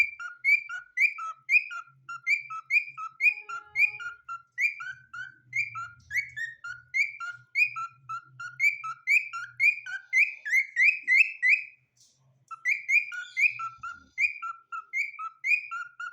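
A cockatiel gives a steady stream of short, bright whistled chirps, repeated several times a second.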